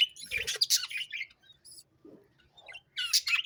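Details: Sparrows chirping in short bursts of bright, high chirps separated by brief pauses, with a faint low murmur underneath.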